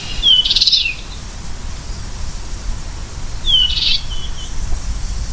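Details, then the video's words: American goldfinch repeating a phrase twice, about three seconds apart: a sharp falling whistle leading into a bright buzzy cluster of notes, with low rumbling background noise. "Beautiful Goldfinch Bird Sound"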